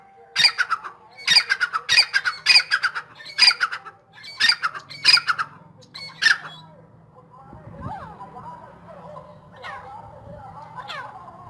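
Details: Grey francolin (dakhni teetar) in full spirit gives a series of sharp, grating, repeated notes for about six seconds, then falls quiet while softer chirping from another bird and a low hum continue.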